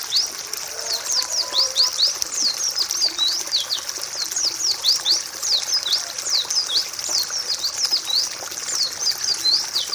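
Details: Pleci (white-eye) master song for other birds to learn: rapid chain of high, thin whistled slurs, dense and unbroken, with a faint low murmur beneath.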